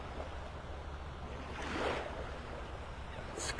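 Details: Steady rushing surf and wind on a beach, with a brief louder wash midway and a short crackle at the end; no animal calls are heard.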